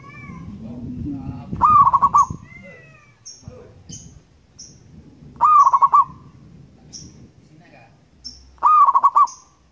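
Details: Wild local zebra dove in lively song, used as a lure recording. Three phrases about every three and a half seconds, each a rising coo and then a quick rolling string of pulsed notes. Faint high chirps come from other birds between phrases.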